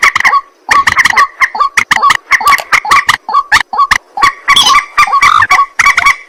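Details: Harsh croaking calls of a white-breasted waterhen after dark, many rough nasal notes repeated in quick succession, grouped into bursts with short silences, loud and insistent throughout.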